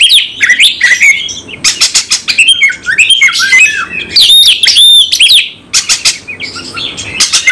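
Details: White-rumped shama in a bird-singing contest, singing aggressively with a full repertoire: loud, varied whistles, sweeping slurs and harsh, rapid bursts in quick succession.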